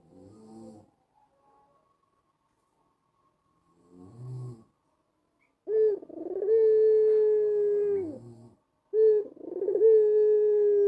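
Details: White collared dove (white with a black collar) giving its melodious anggungan coo, used to set doves at home cooing along: low gruff bursts, then two rolling starts each opening into a long, steady, level hooting note lasting about two seconds.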